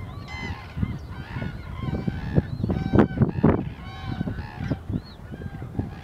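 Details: Wintering common cranes, 1 February 2014, a flock trumpeting continuously: many overlapping ringing, harmonic calls, some sliding upward, with several loud close bursts mid-clip over a low rumble.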